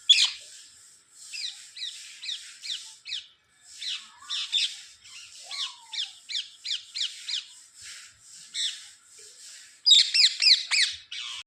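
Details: Pet parrot said to be talking: a steady run of shrill, scratchy rising and falling notes, several per second for about ten seconds, ending in a louder, sharper flurry.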